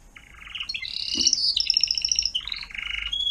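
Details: Timbrado canary singer teaching young canaries: a rising, rattling trill that climbs into a pulsed high tour, then drops to lower rolling notes, over faint background hum.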